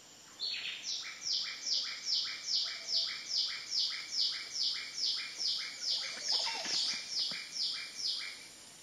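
A Green-and-rufous kingfisher gives a steady series of about seventeen harsh, high, slightly falling notes, roughly two per second, over faint background hiss.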